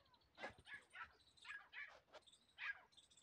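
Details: Captive female grey partridge (titar) kept as a decoy for trapping wild partridges, giving a series of short, harsh, scratchy notes, about six in three seconds at uneven intervals, fairly faint over a quiet background.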